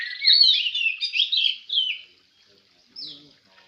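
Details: Oriental magpie-robin (kacer) at a Semende Perapau songbird contest delivers a rich burst of warbled, rising and falling whistles for about two seconds, then near silence and one short final whistle with a faint voice.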